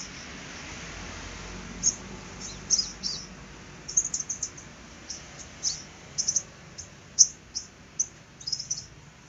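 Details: A Natuna bird in full voice, trotol-style, gives short, very high, sharp chipping notes at an uneven pace, sometimes in quick little bursts, over a faint background hiss.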